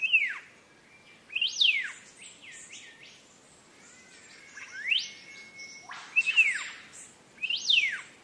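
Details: Training song of a green leafbird for cage birds: bursts of loud whistles, each sweeping steeply up then down, roughly every one to two seconds, with a long level tone midway and brief buzzy notes.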